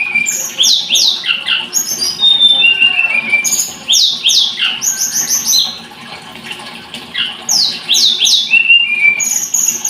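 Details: Blood-breasted flowerpecker (tledekan gunung) singing: a fast, varied run of high, thin whistles, sharp downslurred notes and chirps in bursts, with short pauses between phrases.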